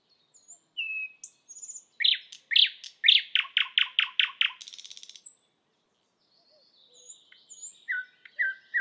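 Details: Thrush nightingale perched and singing on a spring evening: a few thin whistles, then a loud series of rapid repeated sharp chopping notes ending in a dry buzzing rattle, followed by quieter high whistled phrases.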